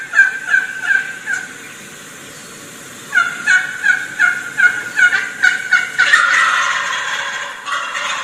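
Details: A wild turkey hen calls to approaching gobblers with quick runs of sharp yelps, pausing to listen, then another run, followed by a loud, rolling, rattling gobble as the gobblers draw closer.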